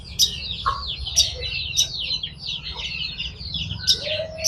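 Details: Long-tailed shrike in full song: a high, buzzy, scratchy chatter running continuously, punctuated by sharp high clicks about once a second, with a short lower whistled slur near the end.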